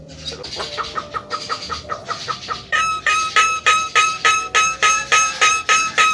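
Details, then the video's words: Javan myna, white-eyed form, singing vigorously: a series of harsh, ringing notes repeated about three times a second, growing louder and more metallic partway through, each note layered with bright overtones. "burung jalak kebo mata putih gacor losss"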